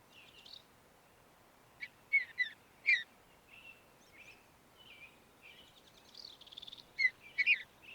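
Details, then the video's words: Mountain bluebird calling: short soft whistled chirps and clipped notes, several sharper bright notes near the two- and three-second marks, a quick buzzy rattle near six seconds, then more clustered chirps at the end. "Mountain Bluebird Bird Sound Video: Thrush Call"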